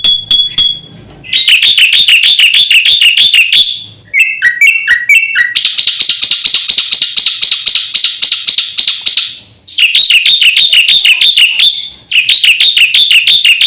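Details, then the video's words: Black-winged myna singing a full-fill master song meant to rouse other birds: rolling wavering whistles, a stuttering series of downslurred notes, then a long buzzy trill and more warbling phrases. "suara masteran jalak putih gacor full isian"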